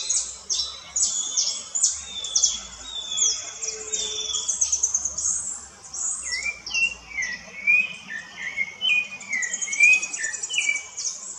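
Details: Rufous-bellied thrush singing in the woods: short whistled, slurred phrases, some rising and some falling, given in a quick series during the second half. A dense, high buzzing insect chorus runs throughout and partly masks the bird.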